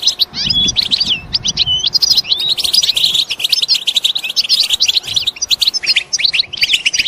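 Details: European goldfinches calling loudly in batbata chatter meant to push males into song and breeding: rapid, jangling twitters with rising and falling slurred notes, continuous and bright, a faint low rumble early on.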